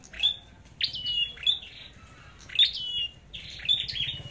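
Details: Red-headed flowerpecker competing in song, thin bright notes sweeping down into held flat whistles, given in clusters of two or three with short gaps, over light background hiss.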